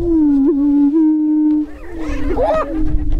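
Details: Greater Prairie-chicken booming on a spring lek near Crookston, northwest Minnesota, April 27, 2013, during the mating dance: a long, steady low hooting moan with rich overtones, followed by a few rising whooping notes.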